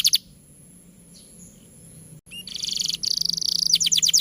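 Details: Domestic canary song used as a masteran to prompt other canaries to sing: a few sharp high chirps, a pause, then a fast, bright run of rapid trilled notes and buzzy high phrases.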